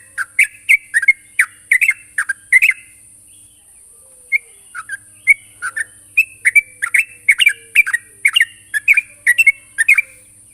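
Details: Sooty-headed bulbul giving its rival-challenging call, a chatter of short liquid whistled notes in rapid groups, a one-second gap midway, then a dense run of rising and falling notes over faint steady hiss.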